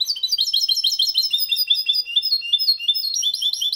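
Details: Goldfinch–canary hybrid in clean, error-free Málaga copy song, meant to stimulate females and teach young goldfinches and hybrids: a continuous, rapid, bright twittering of high tinkling and buzzy notes, about three per second, with no pauses and a quiet background.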